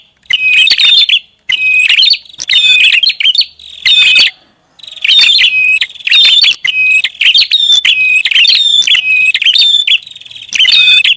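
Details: Noisy prinia lure call: a long series of harsh chattering bursts with whistled notes, closely spaced, with a pause near the middle before calling resumes steadily.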